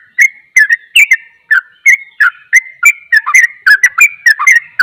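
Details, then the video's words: Sooty-headed bulbul in ropel style, a rapid song said to make other bulbuls agitated; quick whistled notes, each briefly rising or dipping, tumble in an uneven, chattering sequence. "Trucukan ropel, trucukan lain akan emosi dengar suara trucukan ini"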